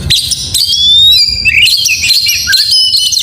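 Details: Oriental magpie-robin singing in the morning in energetic gacor style: clear whistled notes, a long rising slur and sharp high sweeps, with a steady low hum underneath.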